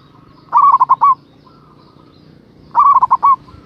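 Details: Zebra dove of the local type, a constant caller used as a rival lure. Two matching phrases of rapid staccato coos, each finishing with a longer note, roughly two seconds apart against low background hum.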